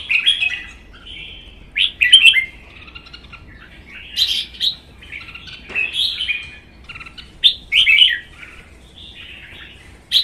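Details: Red-whiskered bulbuls, caged, competing in song; one is a wild-caught adult in its first season of captivity, tail spread stiffly. Loud chirpy warbles come in separated bursts roughly every second or two, sweet and slurred.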